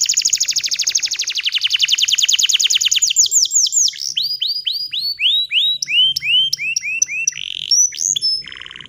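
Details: Bottle-green canary in energetic song, meant as a lesson for young canaries. A long rapid trill slowly slows into separate falling notes, then mixed swooping whistles and hooks, ending in a brief buzzy rattle.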